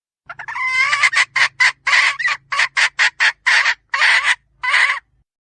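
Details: Female red junglefowl opening with a drawn, wavering squawk, then a string of about a dozen rough, clucking notes. A faint low hum runs beneath the opening part.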